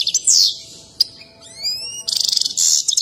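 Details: European goldfinch singing excitedly during its dance. A bright downward sweep and a sharp click lead to a few thin rising whistles, then a fast stuttering trill and a harsh buzzy burst, all high-pitched.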